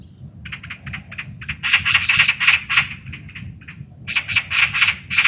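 Eurasian magpie giving a harsh, rattling chatter of dry, noisy notes, about four per second, in two bursts with a short pause between.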